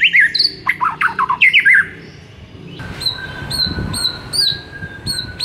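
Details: White-rumped shama master song played to stir a silent bird into singing: quick looping whistled phrases in the first two seconds, then a faint steady tone with short high repeated notes over background hum.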